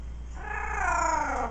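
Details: A male pet talking parrot gives a single drawn-out, nasal, cat-like note of about a second, slightly falling in pitch, over a low steady hum, while its owner chats to it.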